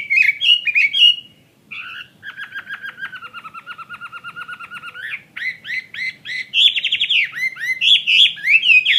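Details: Chinese hwamei, a bird kept for fighting, opens with tumbling whistles, then holds a long even buzzy rattle of rapid pulses, before bursting into loud varied whistled phrases and sharp chips.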